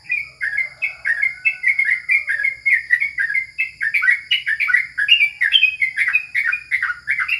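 A yellow-vented bulbul chatters busily: a rapid, unbroken run of bright, bubbly chirps, several each second, over a steady faint high hiss.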